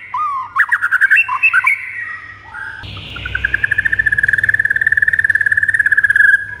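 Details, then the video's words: White-rumped shama song used to rouse pet shamas into agitated singing: a few varied whistled and chattering notes, a pause, then a long, even run of rapid repeated whistled notes that slowly fall in pitch. "JADIKAN MURAI ANDA NGAMUK DAN NAIK EMOSINYA DENGAN MASTERAN MURAI INI"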